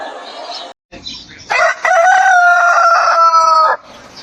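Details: Rooster crowing at a chicken farm: a brief noisy sound and a short break, then a loud crow with a buzzy start and a steady slightly falling note held for about two seconds.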